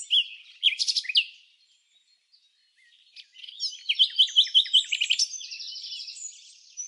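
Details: Red-backed fairy-wrens interacting during the non-breeding season at Samsonvale, Australia: high, thin trills and quick sharp chips in bursts, a brief pause, then a longer rapid reeling run of high notes.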